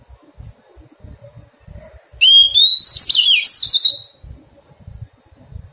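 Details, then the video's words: During taming, a wild-caught Oriental magpie-robin sings one phrase of about two seconds, beginning with a smooth rising whistle and ending in quick, looping warbled notes, amid soft background knocks. "Thuần hóa chòe than bổi"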